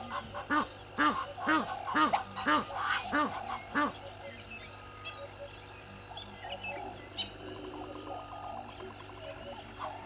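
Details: Hadeda ibis recorded by a live camera at Gowrie dam waterhole, Djuma Game Reserve, South Africa, at 05:17 on 11/01/21: a run of raucous honking notes, roughly two per second, for four seconds, then fainter calling over steady background hum.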